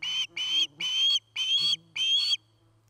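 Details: Osprey calling at its nest near Charlo, Montana, on a nest camera, 09-08-2018: five long, ringing whistled calls with a slight upward slur, spaced about half a second apart, with a low hum.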